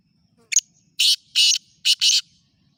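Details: Kala teetar, the black francolin, gives a loud rasping phrase: a brief sharp opening note, then three drawn-out harsh, noisy syllables spaced about half a second apart, with no other sounds heard.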